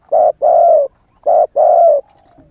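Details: Young spotted dove calling as a lure for wild doves: two loud coo pairs, each a brief coo then a longer drawn-out one that sags slightly in pitch, with a faint trailing tone after the second pair.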